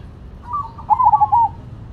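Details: Actively singing Zebra dove, Cemani versus Silver variety: one short phrase of rapid, rolling coos, a soft lead-in note followed by four or five clipped, bubbling notes.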